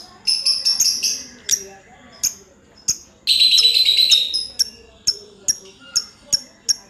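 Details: Pet lovebird giving sharp, high, clipped chirps in quick irregular series, with one second-long burst of dense chattering trill in the middle, then evenly spaced single chirps.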